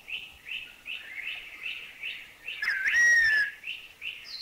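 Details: Streaked Wren-Babbler from Thailand, with its sad call and chuchi chuchi call: rapid repeated bright chirps, broken midway by a clear, slightly falling whistle, then more chirps and a thin high note at the end.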